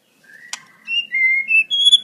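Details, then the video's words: Wild white-rumped shama singing clear whistled notes that step upward in pitch, preceded by a soft sharp click, with no other sounds. "Suara Murai Batu Alam liar Jernih"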